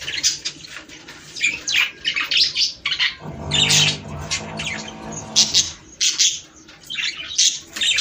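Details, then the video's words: Budgerigars singing to stimulate mating: short clusters of squeaky chirps and buzzy warbles, spaced irregularly with quieter gaps, plus a low humming tone in the middle. "صوت طيور البادجي ــ تحفيز للتزاوج"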